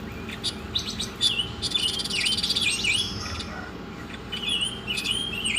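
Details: Masteran song of an Oriental magpie-robin, mixing quick clicks and high ticks with swooping whistled notes and a dense buzzing trill in the middle, ending in scattered higher chirps.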